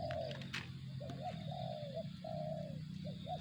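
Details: Spotted dove cooing in the 'target zong' style: a mid-pitched falling coo, then short hooked notes and two more drawn-out descending coos, over a low rumbling background with a brief click near the start and a faint steady high tone.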